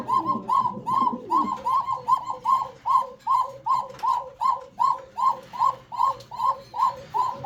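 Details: Domestic cooker pigeon on a Pananagar farm in Bangladesh, said to coo 'ko ko' all day long; a long, very regular run of about nineteen arched coo notes, each paired with a lower echoing note, faint voices early on.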